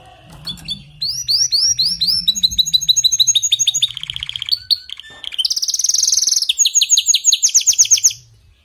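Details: Rich canary song meant to coax a weak singer: sweeping whistled phrases, a buzzy mid-pitched roll, then very fast high trills and repeated chirps, over a faint low hum.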